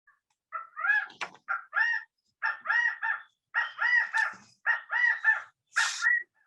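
California Quail giving loud, nasal three-note 'chi-ca-go' phrases, the middle note highest, repeated about once a second, with a sharp click and a brief rasp.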